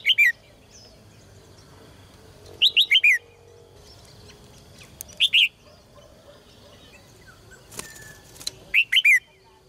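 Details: Caged red-whiskered bulbul singing, used to stimulate males into strong song: four short phrases of three to four bright, slurred whistled notes stepping downward, spaced a few seconds apart, with a brief rattling clatter between them.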